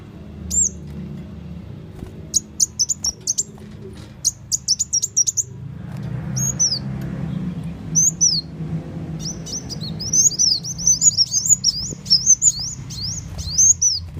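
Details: Sunbird lure call used to draw birds in for trapping: very high thin chips, rapid stuttering bursts of sharp notes, then a run of quick downslurred whistles, over low rumbling background.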